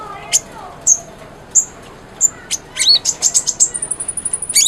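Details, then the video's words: Konin (brown-throated sunbird) in a lively training song to stimulate a silent bird: a few spaced high chips speed up into a rapid trill, then a long thin piercing whistle. "MASTERAN KONIN GACOR, SANGAT AMPUH BUAT PANCINGAN BUNYI KONIN YANG BISU"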